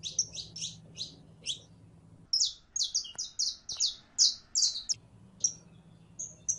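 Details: In heat, a female canary calls a male to mate with quick, high chirped notes in rapid runs, a dense stretch of buzzy chirps in the middle, then sparser single notes, with a low background hum at times.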